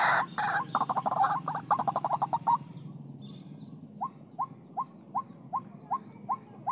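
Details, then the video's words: White-breasted waterhen apart from its mate: a loud burst of rapid, harsh croaking notes fades into soft, short upslurred notes repeated about every half second over a steady high hiss. "Ruak ruak lupa dengan pasangan nya"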